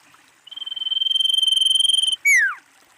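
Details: Calling female common iora, a lure to draw replies from others of its kind: long even buzzy trill on one high pitch, followed after a brief gap by a strong falling whistle.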